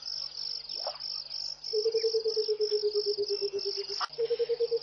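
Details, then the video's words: Burchell's coucal at a waterhole in Mashatu Game Reserve, Botswana, on a January early morning, pouring out a low bubbling cascade of rapid hoots that slowly descends, then starting again, against a continuous high-pitched insect trill and faint other birds. "Song of the Burchell's Coucal"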